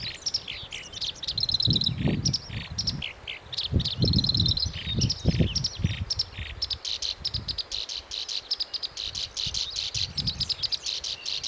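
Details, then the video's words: Black-browed reed warbler singing a fast, nonstop jumble of scratchy chatters, buzzy notes and high whistled trills, with low wind rumbles underneath. "コヨシキリの鳴き声（Black-browed reed-warbler singing）"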